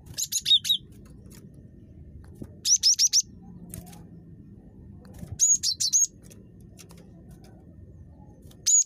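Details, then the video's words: Cinereous tit, very chattery, used as a lure: four short bursts of three to four high, sharp notes spaced a few seconds apart, with a steady low hum in the background. "GELATIK BATU SUPER CREWET"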